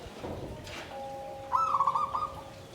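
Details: Zebra dove kept in a bamboo cage, tumpang sari klabang kapipit song style: after a second of faint background noise and a steady hum, a short burst of fast bubbling, purring trilled coos lasting under a second.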